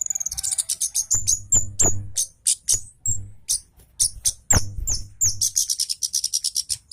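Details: Javan orange-headed thrush, agitated and singing at speed with sharp, closely packed phrases. High rapid chirps and trills tumble out almost without pause, over low knocking thuds.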